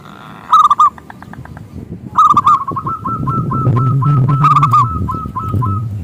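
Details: Local zebra dove with a powerful voice, used to lure rivals into singing: a loud clipped phrase, a pause, then a long fast series of repeated cooing notes over rising low rumbling noise.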